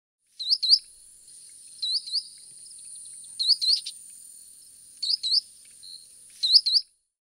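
Blue tit giving thin, very high upslurred notes in quick pairs or triplets, repeated about every one and a half seconds over a faint steady hiss.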